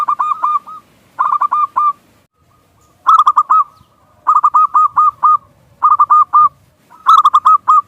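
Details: Local zebra dove from Indonesia, a cooing lure for other doves: short groups of four to six fast hooked notes, each group followed by a pause of about a second, clean and loud.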